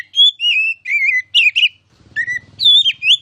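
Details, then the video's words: Kacer, oriental magpie-robin, delivers bright whistled and warbled phrases, with a low buzzing hum in the background during the second half. "KICAU MASTERAN KACER CALON JUARA!!!"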